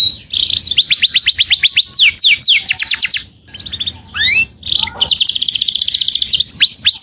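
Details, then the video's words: Saffron finch calling its companion: quick trains of bright downslurred notes, a short pause with a few scattered chips, then another fast run ending in curling whistles. "O SOM DE UM CANÁRIO CHAMANDO SEU AMIGO"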